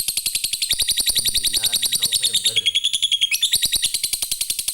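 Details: Lovebird giving a long ngekek trill used as a lure to draw other lovebirds: a sustained high, rapid chattering trill, buzzy and shrill, over a steady fast ticking beat and brief low murmuring voices midway.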